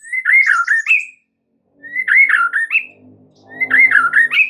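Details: White-rumped shama lure song for encouraging other shamas to sing and enrich their song: the same harsh, warbling whistled phrase given three times, roughly every two seconds, with faint low rumbling between.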